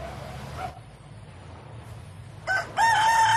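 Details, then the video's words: Rooster crow, given in answer to other roosters or to call hens: a faint ending note, a quiet gap, then a loud new crow starting in the last second. "Rooster Crow Sounds"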